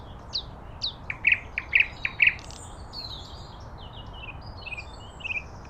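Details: Common nightingale in a natural setting gives a few high slurred notes followed by four loud, evenly spaced piping notes, then faint thin whistles against quiet background hiss.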